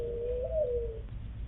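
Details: A Mourning Dove, likely a male, gives a single soft, hollow coo that swells up in pitch and slides back down, about a second long, over a low hum; the three-note nest coo is used to attract a female to a nest site.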